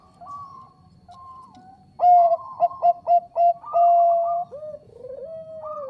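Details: Bangkok-type zebra dove singing loudly for a lure: soft opening coos, then a burst of sharp stuttered notes into a long level coo, ending with a falling slur and a rising coo.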